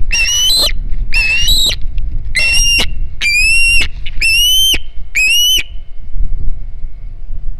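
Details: Hog Island Osprey, 9 September 2019, around a fish delivery to the nest: six loud, ringing whistled cries, each sliding upward, given about once a second over a quiet background.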